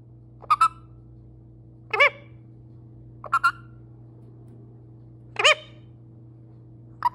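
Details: A pet male parrot gives short, separate voiced syllables roughly every one to two seconds, some doubled, each brief and harmonic, against a low constant hum.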